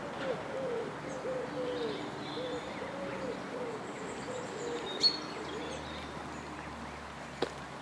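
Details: Canada geese with goslings on the South Pond in Midhurst, West Sussex, England: soft, low, arched calls in a loose repeated series over the first four seconds, fading afterwards, with faint high chirps and a few sharp clicks.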